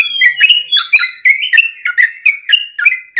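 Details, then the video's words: Sooty-headed bulbul singing energetically for use as a training recording for caged birds: a steady stream of short, bright whistled and chirped notes, repeated rapidly about every quarter second, varying slightly in pitch, against a quiet background. "trucul ropel gacor buat masteran dan pancingan"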